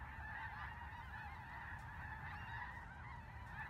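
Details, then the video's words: Flock of snow geese in Vigo County calling together: a constant wall of high, barking honks from many birds at once, unbroken throughout, with low background rumble. "Snow Geese in Vigo County"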